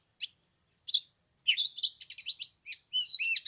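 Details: Short burst of oriental magpie-robin song on the third day of Tet in chilly 15-degree weather: two bright whistled notes, a pause, then rich, fast warbling phrases.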